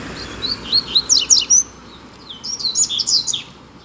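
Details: Double-collared seedeater (coleiro) in a singing contest between two birds: two bursts of rapid, high, sweet chirped and slurred notes, each phrase about a second long, separated by a short pause over steady low background hiss.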